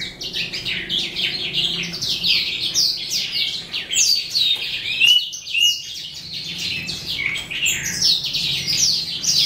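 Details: At day's end an eastern calandra lark (psammochroa) pours out a continuous jumble of rapid high chirps and buzzy trills with brief whistled slurs and a short dip near the middle.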